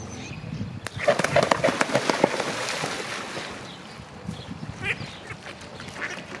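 Mute swan giving hoarse, nasal snorts and grunts in a quick irregular burst, then softer scattered grunts over steady background noise.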